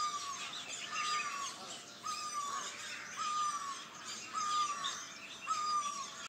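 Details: Hillside dawn chorus in Doda, Jammu and Kashmir: several birds give busy high twittering chirps, and a slurred downward whistle returns about once a second, with a thin steady tone running through.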